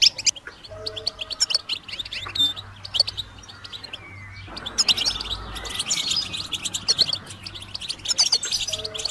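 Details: Goldfinch song played to stimulate other birds to sing: rapid, high twittering of liquid chirps and short trills, with brief drawn notes, continuing without pause over a faint low steady hum.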